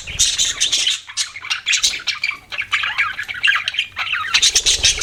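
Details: Budgerigars chirping with harsh squawks and raspy warbled chatter, a short gap early on, then steady lively calling.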